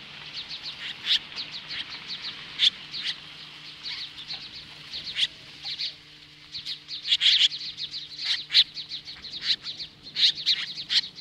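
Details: Agitated Osprey confronting magpies at a nest in Hellgate Canyon, Lolo, Montana, mid-morning July 15, 2015: long bursts of piercing, clipped chirps, loosening into spaced groups and then swelling into denser, louder volleys over a steady low hum.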